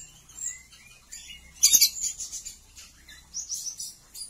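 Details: Male Oriental magpie-robin (kacer) courting a female to mate, in an aviary: scattered high, thin whistles and chirps, broken midway by a sharp, loud rattling burst.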